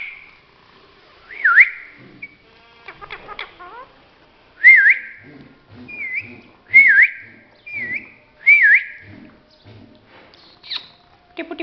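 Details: Four-language talking parrot whistles a clear rising-then-falling note about five times at irregular intervals, with soft clicks and mumbled sounds in between and a higher squeak near the end.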